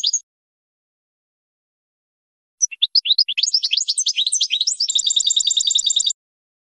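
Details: Adult European goldfinch singing as a teacher for 2020-hatched youngsters: a short high chip, a pause, then accelerating sweet twitters that merge into a fast, even, buzzing trill lasting about two seconds.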